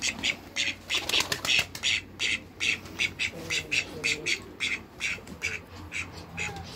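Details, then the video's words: Call ducks, a domestic Mallard breed, quack loudly in harsh, high, nasal bursts, almost three a second, with several birds overlapping over a faint low hum. "CALL DUCKS"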